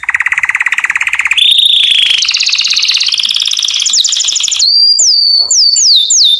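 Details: Canary singing to court females, with long rapid trills shifting upward in pitch, rattling rolls, then a series of ringing downslurred whistles repeated about twice a second.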